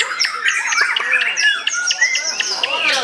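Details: Caged white-rumped shama singing at a routine practice songbird contest: a rich, rapid run of varied whistles, chattering notes and sharp chirps with no pause, mostly high-pitched, with other contest birds calling in the background.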